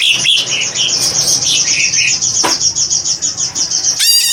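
A greater green leafbird pours out a long, unbroken run of rapid, high chattering and whistled notes, broken by one harsh buzzy burst and a ringing note at the end.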